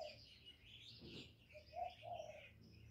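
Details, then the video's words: Spotted dove cooing: two short, low, soft hooting notes in quick succession near the end, over a busy background of high twittering and chirping from other small birds. "CU CƯỜM GÁY"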